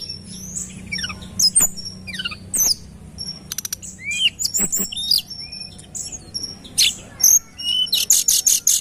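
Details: Tledekan gunung singing, recorded for use as a lure: a varied run of high chirps, thin falling whistles and short trills, ending in a fast series of five bright repeated notes.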